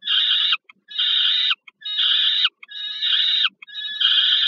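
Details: Peregrine falcon food delivery to a youngster at the Żerań power station in Warsaw, Poland, August 2022: five grating, hoarse screams in steady succession, roughly one per second, with brief stuttering notes in the gaps.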